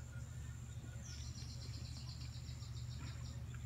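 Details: A Creole ("criollo basto") canary sings a high, rapid trill of evenly repeated notes for about two seconds, over a steady low mechanical hum.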